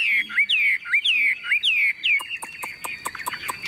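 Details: Tame Chinese hwamei in a hand-carried, shaken cage sings a run of clear looping whistled notes, each rising then falling, repeated about twice a second, followed by sharp clicking ticks.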